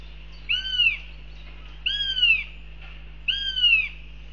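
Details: Northern goshawk in Riga, Latvia, on 11 June 2021 at 07:46: three loud, drawn-out, harmonic calls, each rising briefly then slurring downward, about half a second long and repeated roughly every 1.4 seconds over a low steady hum.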